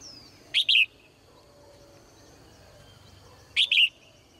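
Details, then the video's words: Female bird singing cheerfully in its cage in the morning, two loud high double chirps about three seconds apart, each a quick note and a longer one, over quiet low background noise. "นกตัวเมียร้องเจื้อยแจ้วในยามเช้า , เสียงนกร้องในกรง"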